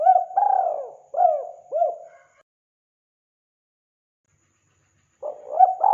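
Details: Cooing of a spotted dove meant to attract wild birds: a long purring note, then two shorter rounded coos, a pause of about three seconds, and a fresh phrase beginning.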